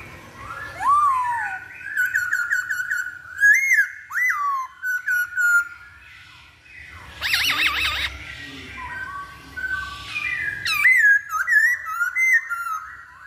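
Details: Masked laughingthrush song for luring a bird into song: varied loud whistles, upward and downward slurs, and clipped chirps in bursts, with a brief harsh, noisy chatter midway.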